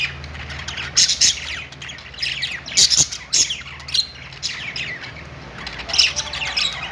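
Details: Pet-store budgies chatter on a perch, giving sharp high squawks and rapid twittering chirps in overlapping bursts from several birds, with a faint low background hum.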